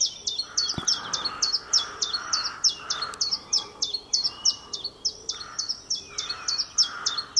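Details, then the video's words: A chiffchaff's song recorded in April 2020, an unbroken run of bright, clipped high notes that swing between two pitches in a rapid, even chiff-chaff cadence, with a soft lower background hum. "Chiffchaff April 2020"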